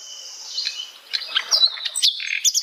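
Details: Asian brown flycatcher singing in its natural habitat: a high, thin run of quick chirps and short whistled slurs, varied and irregular, growing louder toward the end.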